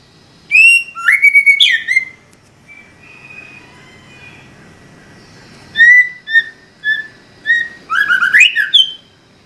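A white-rumped shama sings rich, varied whistled phrases mixed with sharp chattering notes, in two bursts separated by a few seconds of quieter warbling.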